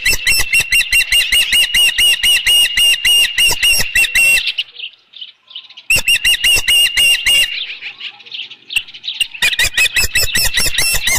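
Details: Osprey calling at the Dunrovin Ranch nest on the evening of 15 July 2018 during a headless fish delivery; bursts of fast, shrill repeated chirps, a pause of near silence, then the chirping resumes twice more.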